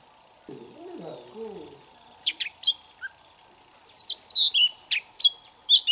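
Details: Young Oriental magpie-robin practising song in the morning: after a low murmur at the start, scattered sharp chirps and a long warbled whistle break out, then quick separate notes.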